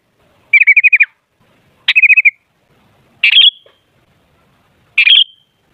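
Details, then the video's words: Sooty-headed bulbul singing as a lure for other bulbuls: a rapid trilled run of clear notes, a second shorter trill, then two bright bubbly rising phrases, each burst separated by about a second of quiet. "Suara Burung Kutilang Ampuh Buat Pancingan Jadikan Kutilang Ribut Gacor"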